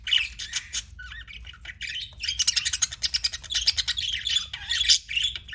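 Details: Pet budgerigars chirping: dense, fast warbled chatter of buzzy squawks and clicks with short whistled notes, the bursts crowding together in the second half.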